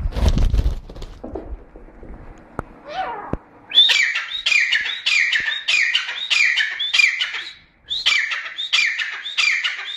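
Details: Grey francolin calling: after a few quiet seconds, a loud series of harsh, repeated two-part notes starts and runs steadily to the end, about one and a half per second, with short gaps.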